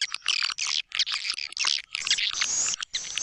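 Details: White-nest swiftlet lure recording for swiftlet houses, tested in East Kalimantan. Short clusters of high chattering chirps, then a longer thin buzzy trill near the end.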